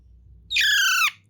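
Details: Young parrot being taught to talk, indoors: a single harsh, buzzy squawk of about half a second with a slight downward bend at the end, and a low hum in the background.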